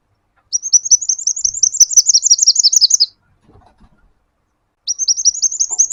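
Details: A sunbird (kolibri wulung) in lively song, recorded as a lure and tutor recording for birds: a high, rapid run of thin, tinkling notes for about two and a half seconds, a pause, then the same quick chatter again.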